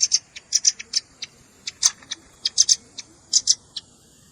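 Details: Velvet-fronted nuthatch calls for bird luring, combined with juvenile calls: uneven clusters of sharp, high chips and doubled notes, loud and quick, with short gaps.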